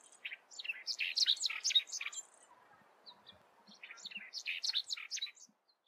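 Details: Lark-like Bunting giving its canary-like song: two loud, rich phrases of rapid, varied chirps and warbled notes, each about two seconds long, separated by a short quieter pause with a few soft notes.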